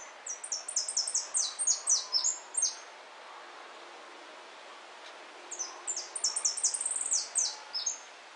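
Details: White saffron finch (jilguero blanco) singing at the El Federal singing competition in 2013. It gives two bursts of rapid, high, descending whistled notes, each lasting about two and a half seconds, with a quiet pause between them.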